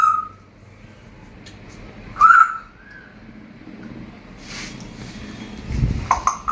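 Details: Pet talking African grey parrot, asked by its owner to whistle, gives short, clear whistles, the loudest a bright mid-pitched note near the middle, followed by scrapes, clicks and a soft thump.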